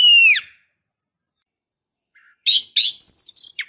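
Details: Female white-rumped shama calling to stimulate a male: a loud downslurred whistle, then a pause and a burst of harsh, buzzy high chips and rising notes.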